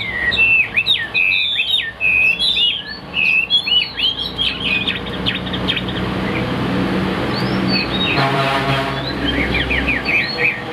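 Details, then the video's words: Chinese hwamei in a cage, singing from a high perch: an opening burst of loud, fast, twisting whistles that fades after a few seconds into quieter, sparse notes, with a low rumble behind. "Bộ khủng hót cực tốt, đuôi lá vả, hót cao cầu | Họat Họa Mi"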